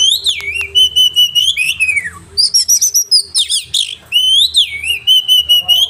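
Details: Oriental magpie-robin singing sharp 'roll tembakan' material meant for training caged birds: clear sliding whistles, a falling note, rapid rhythmic bursts, then steady wavering whistling.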